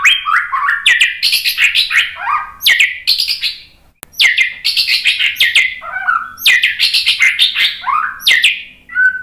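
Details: White-rumped shama singing, played as a lure to provoke other shamas into full song. Rich, fast phrases of liquid whistles swoop up and down, mixed with sharp ticks, in two long bursts split by a short pause.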